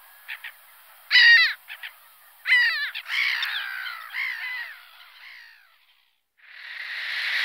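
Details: Black-headed Gull (Larus ridibundus) giving harsh, grating calls: two loud strident bursts early on, then a run of overlapping rasping, downslurred notes that fade, followed by a burst of hissing noise at the end.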